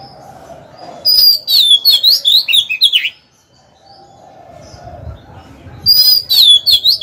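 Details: Oriental magpie-robin decoy bird kept in a cage, singing to provoke rival males to fight; loud runs of sweet, warbling whistles with quick slurred notes, then a pause with faint low background sounds before the song resumes.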